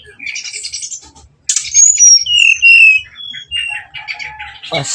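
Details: Brown-chested jungle flycatcher lure song meant to stir up fighting: soft buzzy notes, then a loud sequence of bright descending whistles and long clear tones, with a lower sustained whistle near the end.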